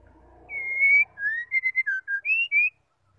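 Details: Calls of a female white-rumped shama, used to trigger singing in males. One clear phrase: a long flat whistle, a rising slur, a quick run of short notes, two lower notes, then two higher whistled notes.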